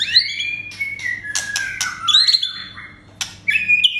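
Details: White-rumped shama song meant to provoke aggression in captive birds: varied rich phrases of sliding whistles, sharp chips and rising notes, loud and fast-changing with a faint low hum underneath.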